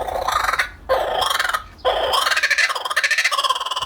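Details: Loud, rollicking laughter of a laughing kookaburra: harsh cackling phrases broken by brief gaps, then a steady run of quick, rhythmic hooting pulses.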